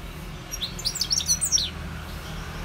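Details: Brief goldfinch twittering, a rapid sequence of thin, high tinkling notes lasting about one second.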